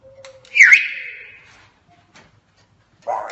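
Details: African grey parrot mimicking speech and sounds: a loud, sliding whistled squeal that drops and trails off over a second, then a short pause and the start of a harsh, breathy sound.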